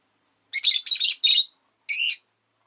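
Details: Rosy-faced lovebird, a pet bird, chirping on a relaxed afternoon: a quick run of harsh, buzzy chirps over about a second, then a pause and one more rasping chirp, all high-pitched with no other clear sounds.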